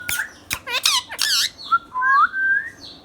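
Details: Pet ringneck parrot indoors giving several harsh, broadband squawks in quick succession, then a few clear whistled notes that rise and waver, with short gaps between them.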